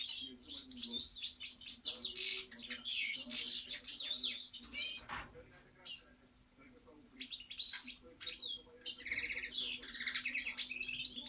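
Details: European goldfinch singing dense, high tinkling twitters and liquid trills in rapid bursts, with a brief quieter pause midway, over a steady low hum.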